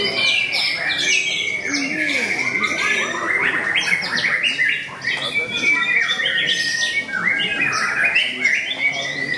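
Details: Murai batu (white-rumped shama) at a bird singing contest, very fierce fighting style: long stretch of loud, varied whistles and scratchy rapid phrases, brief pause near the middle, many other birds audible behind.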